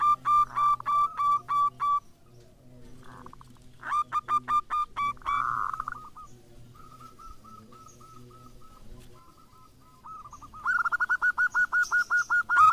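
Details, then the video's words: Local zebra dove kept as a lure to get other doves calling, giving bursts of quick, clipped cooing notes at a steady mid pitch, separated by pauses, with softer distant notes between the loud series. "PERKUTUT LOKAL GACOR COCOK UNTUK PANCINGAN"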